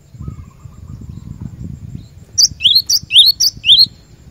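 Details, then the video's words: A cinereous tit used as a lure and training singer for caged birds gives a short series of about three bright two-part phrases, a high chip then a lower rising whistle, after a stretch of low rumbling noise. "Burung Glatik Batu Pikat Gacor"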